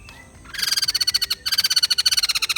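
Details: Two quick bursts of dense, harsh pulsed chatter from a white-crested laughingthrush, with a high ringing tone through each stuttering rattle.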